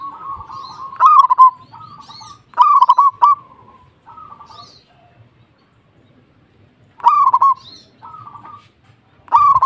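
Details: Four bursts of fast, pulsed cooing from a local zebra dove singing hard, each phrase a quick rolling stutter then a short level coo, with a long quiet gap midway.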